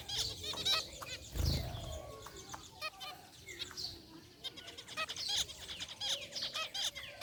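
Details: Caged zebra finches of white and gray varieties chirp with sparse, nasal beeps and short twitters, spaced irregularly, with one brief burst of low rustling.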